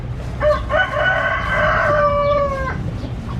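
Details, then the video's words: A chicken crows once: a short opening note, then a long, steady, harmonic-rich cry held for about two seconds that drops slightly and cuts off. Steady low rumble and faint, scattered small bird chirps continue beneath it. "The sound of chickens."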